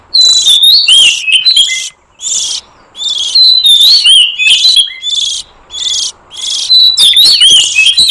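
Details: Oriental magpie-robin lure sound for attracting wild forest birds: harsh buzzy bursts alternate with short whistled slurs in rapid, uneven succession, separated by brief silences.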